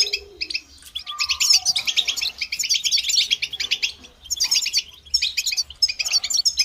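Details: Lively goldfinch song with rapid liquid twitters and trilled phrases in bursts. A brief lower whistled note and a soft low sound are heard early, and short pauses fall between bursts.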